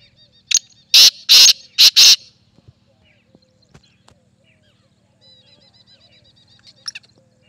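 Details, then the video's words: Black francolin (teetar), Dakhni type, gives a burst of four or five loud, harsh, grating notes in quick succession, then falls quiet; faint thin chirps follow. "Teetar ki awaz | Teetar voice | Black francolin voice | Teetar awaz"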